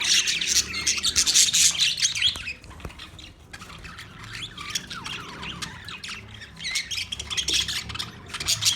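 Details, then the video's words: Australian budgerigars, a flock of parakeets chirping: dense, continuous high-pitched chatter of squawks and chirps, loud for two seconds, quieter in the middle, then swelling again toward the end. "Budgies Parakeet Birds Chirping sounds Big sound of Australian Budgies parrot"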